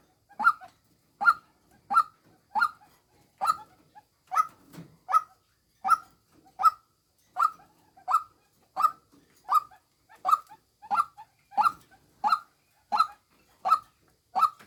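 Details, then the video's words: Long steady series from a female white-breasted waterhen, used as a lure: around twenty short, harsh, nasal notes evenly repeated, with one soft low grunt partway through and otherwise quiet surroundings. "tiếng chim quốc mồi mái"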